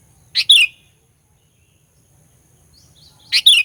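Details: Sooty-headed bulbul, a caged lure bird used to provoke rival bulbuls, giving two short bright whistled phrases three seconds apart, each a quick pair of rich falling notes, with faint low background hum.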